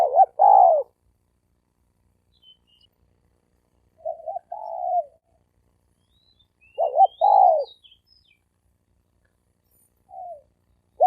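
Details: Spotted dove males in a fighting duel give loud two-part coos. A wavering double note leads into a falling drawn coo, repeated at intervals with some softer phrases. Faint high thin chirps sound between the coos.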